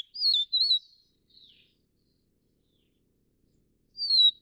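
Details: Taiwan's endemic Vivid niltava subspecies, recorded while feeding its chicks. Two quick, bright, wavering whistles come first, then a faint softer note, and after a pause a further sliding high whistle. The background is quiet.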